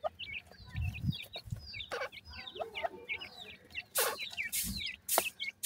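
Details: In India, grey francolin chicks call to their mother with shrill, quickly repeated descending peeps. Loud rustling and handling bursts break in, especially near the end, over a faint low hum.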